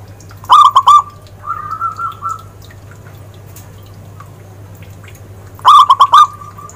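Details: Two brief loud bursts of rapid staccato coos from a zebra dove, five seconds apart, with a soft rolling trill after the first, set against a low steady hum.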